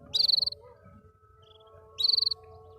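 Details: Canary in happy song, two fast buzzy trills of rapid repeated pulses nearly two seconds apart, with a soft continuous hum behind.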